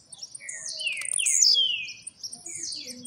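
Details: Blue-black grassquit, the newest household bird, coming out of molt, singing in a fast trilling style; high sharp chirps mixed with descending whistled slurs, rising to a louder burst mid-phrase.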